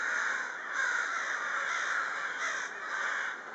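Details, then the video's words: A flock of crows active in the evening hours. Harsh, overlapping caws blur into a nearly continuous chorus, with slightly louder swells every second or so and no other clear sounds. "The herd of crows on action in the evening hours"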